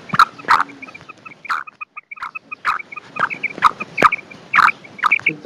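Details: Black francolin calling to attract and excite other francolins: harsh, grating bursts repeated irregularly about every half second, with rapid dotted ticking notes running between them and some clucking undertones.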